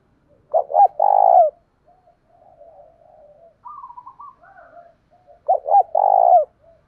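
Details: Lure spotted dove with a loud 'thổ đồng' voice, calling to goad other males into fighting: two full coo phrases, each two quick hoots and a drawn-out buzzy coo, with quiet murmuring notes between them in a silent setting.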